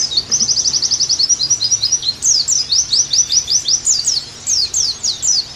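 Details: Singing Oriental white-eye on a tutor and therapy track: opens with a fast, even trill of tiny high notes, then shifts to spaced, slurred chirps rising and falling, delivered briskly over a soft hiss.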